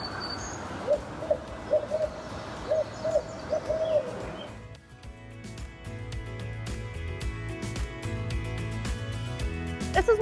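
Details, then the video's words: Two barred owls close to each other call back and forth in daytime at a wooded preserve, trading quick runs of mid-pitched, throaty hoots for about four seconds, with a faint high note above; music then takes over. "I don't know if you could hear that, but there are two barred owls calling back and forth to each other."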